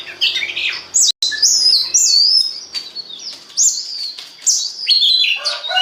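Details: Oriental magpie-robin singing as a lure to get other birds singing; high, sweet whistled phrases, some sliding downward, in bursts about a second apart, with a short break early on.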